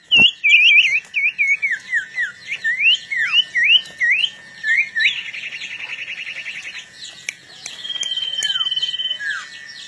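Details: Long-tailed shrike before a fight: a series of looping, chirped whistles repeated several times a second, then a rapid buzzy trill and a sustained high warbling phrase, with steady background hum.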